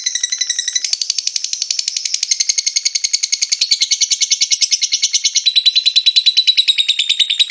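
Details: Lovebird in full ngekek song, a continuous fast chatter of high squeaky notes rattled off many times a second, steady in loudness with slight shifts in pitch and tone throughout.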